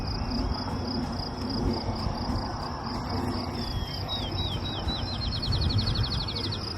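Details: Field Sparrow singing from a small juniper on a Nebraska birding trip near Swanson and Prairie Lakes: a few slow, clear whistles quickening into a rapid even trill like a dropped ping-pong ball, over insect buzzing and low rumble.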